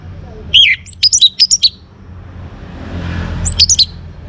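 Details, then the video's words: Young orange-headed thrush singing to draw other birds into song: a quick jumble of very high, thin chirps and twittering notes, a pause, then a brief second burst, over low background hum. "ANIS MERAH Muda Gacor Untuk Pemancing Burung Berani Berkicau Ngeplong juga Teler"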